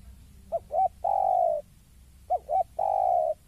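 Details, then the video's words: Spotted dove confronting a rival, cooing twice in succession: each phrase has two short upward-inflected notes and a long, smooth, gently descending coo; low background noise. "Suara Tekukur Saat Melihat Lawan"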